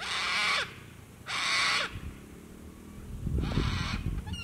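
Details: Sulphur-crested cockatoos calling at sunset by the water at Lake Broadwater, Western Downs, Queensland, Australia: three harsh, raspy screeches, each about half a second long and a second or more apart, over low background rumble.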